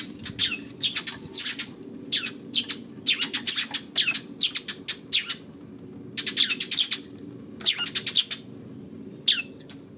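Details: Sparrows filmed on 28 May, producing clipped, bright chirps in short rapid runs, separated by brief pauses, over a faint low background hum.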